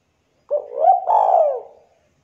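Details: Spotted dove of local stock in 'manggung' song, meant as a lure. One smooth cooing phrase: a short rising note running into a long, slightly descending coo.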